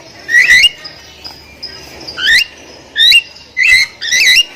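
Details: Javan myna singing a loud lure song used to prompt silent birds to sing: sharp rising whistled notes that zigzag upward, in bursts about once a second, with faint background hiss.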